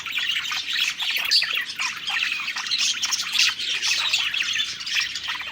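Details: Budgerigars (parakeets), a group singing happily while eating: dense, continuous twittering warble of overlapping chirps and squawks, high and busy with no pauses.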